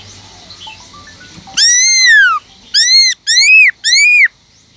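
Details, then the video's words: Caged Black-throated laughingthrush in wild-voice song (giọng rừng): faint soft notes, then one long ringing whistle falling away, then three shorter rich arched whistles in quick succession. "Khướu bạc má kích trống căng lửa HÓT GIỌNG RỪNG"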